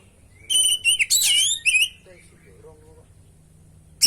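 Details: Oriental magpie-robin recording used to prompt captive birds to sing, a full varied song. Loud whistled and buzzy high notes in a dense burst during the first two seconds, then faint lower notes and a sharp click at the end.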